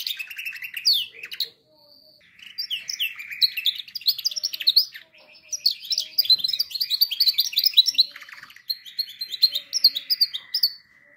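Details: Canary song for training canaries; long continuous high twittering with fast trills, rising slurred notes and rattling rolls, brief pauses between phrases.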